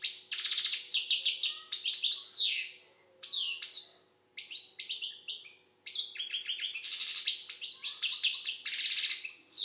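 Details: Algerian European goldfinch singing: fast, varied high twitters and buzzy trills mixed with clear slurred notes, given in long chattering bursts separated by short pauses.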